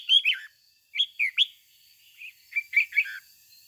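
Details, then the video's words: Red-whiskered bulbul, a decoy bird singing in the 'ché' style used to train other bulbuls to sing: three bursts of bright, slurred whistled notes, rising and falling, with short gaps between them. "Luyện chào mào mồi hót ché căng - Ép chào mào hót sáng kích bổi già rừng"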